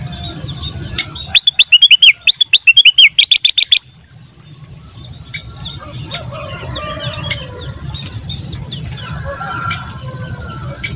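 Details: Black-crested bulbul singing loudly as a master song for training other birds: a fast burst of sharp, repeated chirped notes for about two seconds, then steady shrill insect buzzing with faint distant bird calls.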